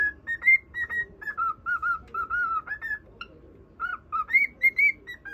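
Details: Pet cockatiel whistling a song to a budgerigar: a tune of clear whistled notes alternating between lower and higher pitches, short phrases in quick succession with brief pauses, faint low background hum.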